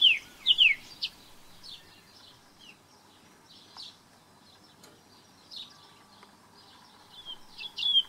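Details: Song thrush, an introduced species in New Zealand, gives a pair of quick repeated whistled phrases at the start. Fainter scattered chirps and notes follow over a quiet background, with a louder phrase returning at the end.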